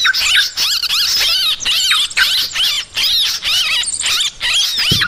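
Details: Noisy gathering of yellow-vented bulbuls, used to lure birds: crowded, excited chatter of warbling, up-and-down whistled notes and scratchy squeaks in quick, overlapping bursts.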